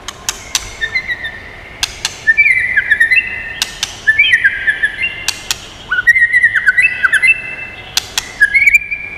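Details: Song of a White-rumped shama, used to stimulate and train birds: clicks spaced across the recording between four phrases of rich, rolling whistles, each phrase ending in quick descending and rising slurs.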